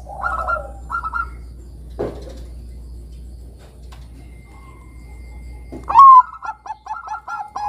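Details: Bangkok zebra dove, a lure recording for getting young doves to sing. After faint coos and a long quiet gap, a loud rising note opens a fast series of short, bright staccato coos.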